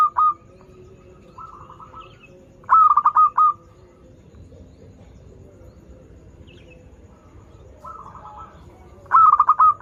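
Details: Singing local zebra dove offered as a lure for birds learning to sing: softer cooing, then two loud bursts of rapid, bubbling coo notes, separated by several seconds of near-quiet.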